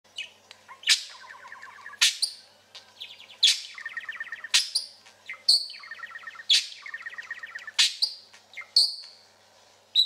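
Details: Pet parakeet indoors in a trilling, chatty mood: rapid buzzy trills around the middle of the range, broken up every second or so by sharp high chirps and whistled notes that slide up, in a regular back-and-forth pattern.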